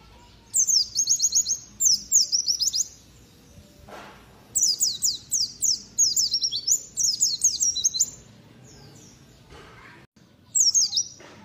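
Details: White-eye kept for gantangan singing contests, delivering sharp, piercing 'nembak tajam' song: fast strings of very high, descending whistled notes in repeated bursts of one to two seconds, separated by brief pauses and a faint thud.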